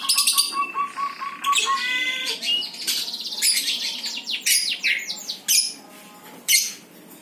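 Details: Energetic birdsong mixing rattling, stuttered notes, short whistles and scratchy chatter in irregular bursts, fading toward the end.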